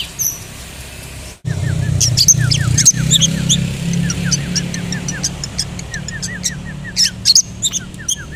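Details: Long-tailed shrike (cendet), a kept songbird, singing a fast run of short downslurred notes, many per second, woven with sharp high ticks and thin chirps, over a steady low droning hum.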